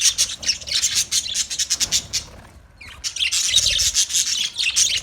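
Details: A colony of budgies chattering: rapid, rasping high chirps packed closely together, a short lull near the middle, then the busy twittering chorus resumes even louder.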